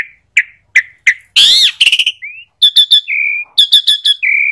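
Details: Asian pied starling giving short spaced whistled notes, then a harsh rasping burst, followed by clipped stacked chirps and flat sustained whistles.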